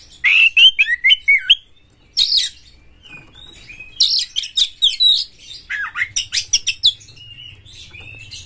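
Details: Song of an aggressive Oriental magpie-robin (kacer galak), used to rouse other birds to sing: rapid sharp chirps and whistled slurs, a pause, then dense scratchy, varied phrases with falling sweeps and a faint low hum.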